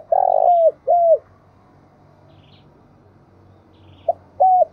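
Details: Calling decoy spotted dove. A drawn-out rough coo and a shorter downcurved coo open the recording, then a long silence, then a short note and one more coo near the end.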